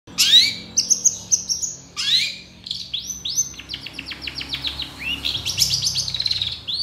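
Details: Long-tailed shrike singing at full volume, a master recording for training songbirds: sharp whistled upslurs, then a long rapid series of short high notes sliding downward with tight spacing.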